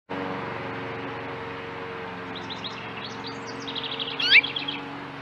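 A house finch gives a few seconds of quick, high twittering notes ending in a sharp, downslurred chirp, over a steady low mechanical hum.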